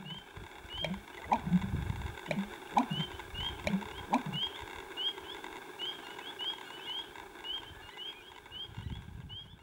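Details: Male American bittern in spring 2018 at Rice Lake National Wildlife Refuge giving his courting song, booming in deep, hollow gulping pulses repeated several times over a few seconds, with high chirping birds calling steadily behind.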